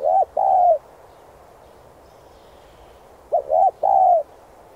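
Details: Spotted dove song meant to stir decoy birds: two cooing phrases about three seconds apart, each a short rising note, a doubled note and a drawn-out level coo, clear against quiet background hiss.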